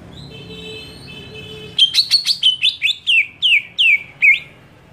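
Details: Faint steady high tone, then a greater green leafbird bursts into a screaming series of about ten sharp, strident notes, several sliding downward, aimed at provoking other leafbirds.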